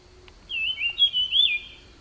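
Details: Wild jungle flycatcher singing: one clear whistled phrase of warbling, slightly wavering notes lasting about a second, in quiet surroundings with no other sounds.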